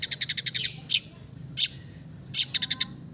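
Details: Long-tailed shrike of the East Java type, relaxed song played as therapy for silent birds: high, sharp ticking notes in fast bursts, then single accented notes and another quick burst of ticks.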